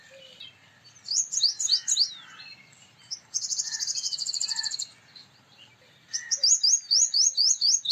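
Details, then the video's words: Male Purple Sunbird singing high, ringing metallic phrases; a dry buzzy rattle sits in the middle, followed by another fast run of ringing notes, with distant bird calls behind. "Purple Sunbird Sound / Purple Sunbird Song / Purple Sunbird Call /Male Purple Sunbird Vocals, Voice"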